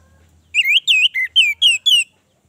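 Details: Orange-headed thrush giving a fast string of six warbled, slurred whistles, each rising then dipping, packed into about one and a half seconds, over a faint low hum.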